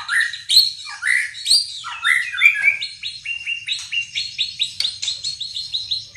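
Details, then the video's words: White-rumped shama song: loud slurred whistles and warbles that give way to a fast run of short, evenly spaced chipping notes, roughly one per second at first, then quicker. "Burung Murai Pastol Menyusun Lagu"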